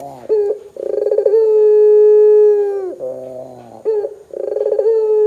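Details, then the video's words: Lively Barbary dove ('gacor' puter) calling to set other doves off: a quick burred roll runs into a long, even, low drawn-out coo, then drops into a growly lower note before the roll begins again. "suara PUTER gacor Bikin PUTER Lain dengar cepat IKUT BUNYI"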